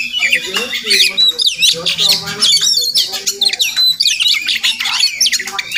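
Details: Murai Kampung, the Oriental magpie-robin, wild and visiting a home daily, possibly nesting close by: chattering bursts of high whistles and rasping squawks, quick and jumbled, with a faint low hum beneath.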